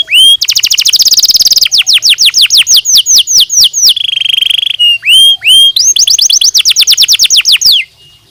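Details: Canary singing to stimulate other birds: bright rolling trills, a run of downward-slurred whistled notes, a steady buzzy tone near the middle, then another fast trill ending abruptly.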